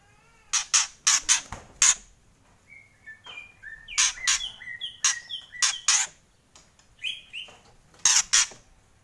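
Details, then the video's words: White-rumped shama giving kretekan song, with loud, sharp crackling bursts in clusters alternating with brief clear whistled notes at varied pitches, on a quiet background. "Kretekan Murai Keras"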